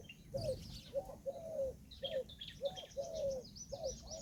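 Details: Indian peafowl hen calling in a steady series of clipped, nasal mid-pitched notes with occasional longer ones, while small birds twitter faintly in the background.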